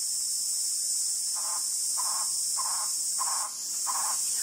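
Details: Cuban trogon (Priotelus temnurus) in Soroa, Cuba, in July, giving five short, mellow, hooting notes about every half second, over a steady high buzz of insects.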